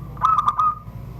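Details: A zebra dove from Serang, Banten, Indonesia, caged and singing in the classic 'surung gdor' style: four quick bubbling coo notes linked into a steady ringing tone that trails off, over a faint low rumble.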